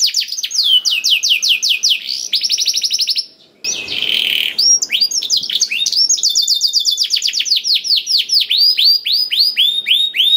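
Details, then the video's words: Black-throated canary singing, played to prompt canaries to sing readily: fast bursts of high descending notes, a short pause and a buzzy mid phrase, then long runs of repeated sweeping notes. "KENARI ISIAN BLACKTHROAT #181 || VOICE OF CANARY"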